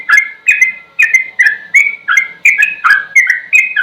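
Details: Sooty-headed bulbul training song, slow yet intense: a continuous string of rich, down-slurred whistles, about ten notes in four seconds.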